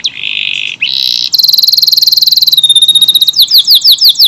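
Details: Lively AF canary in long-running song with tight bursts: a steady buzzy note, then a very fast trill of high, even pulses, then slower down-slurred notes repeated about five per second.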